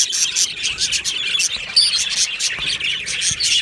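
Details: Aviary colony of budgerigars on 22 June 2025, many birds singing and chirping at once: busy high-pitched twittering with rapid overlapping tweets and a few louder squeaky notes standing out.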